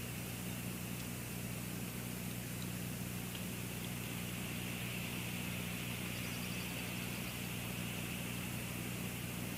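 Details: Constant broadband hiss over a low steady mechanical hum, with no animal voice heard.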